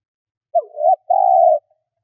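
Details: A decoy spotted dove coos to draw in wild doves. A short note slurs down and up into a brief coo, then one long, even, mid-pitched coo follows. The background is silent.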